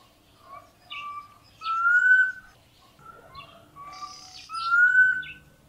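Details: Black Cuckoo giving two mournful whistled phrases of three or four notes, the last note slurring upward, about two and a half seconds apart.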